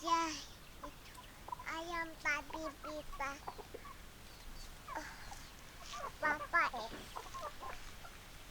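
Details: Hens clucking in quick rhythmic series of short, stacked notes, with longer drawn-out calls at the start and later a burst of louder excited cackling over quieter flock noise.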